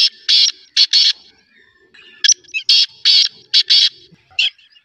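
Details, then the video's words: Black francolin giving grating, buzzy call notes in short bursts, mostly paired and repeated about every half second. Faint softer notes sit between the loud bursts. "Black Partridge Voice/ Kala Teetar Awaaz"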